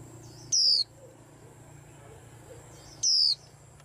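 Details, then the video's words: Caged white-eye singing, two loud high descending whistled phrases about two and a half seconds apart, with a faint steady high tone in the background. "Tiếng Chim Khuyên Làm náo loạn cả giàn"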